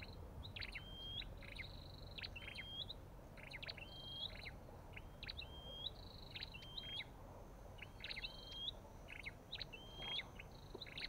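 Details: Olive-backed tailorbird calling regularly, each phrase a tight cluster of sharp chips followed by a short upturned whistle, repeated every second or so against faint low noise.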